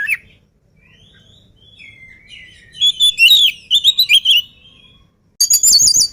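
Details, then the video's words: Agile oriental magpie-robin before eating: soft, thin whistled phrases at first, then loud runs of varied, sharply slurred notes, and a final burst of very high, rapid chatter. "KACER GIRAS/GESIT BELUM MAKAN VOUR GACOR"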